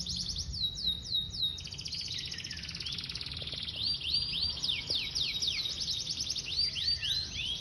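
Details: Singing Yorkshire canary in Indonesia: rapid chains of repeated downslurred whistled notes, roughly four per second, mixed with fine buzzy trills, steady and lively over a low background hum.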